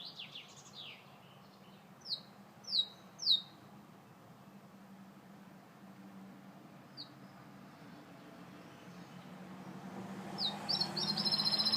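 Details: Gloster canary singing: sparse high chirps, then three loud downward-swept notes in quick succession, a lone chirp later, and a fast high twittering burst at the end, all over a steady low rumble and hum.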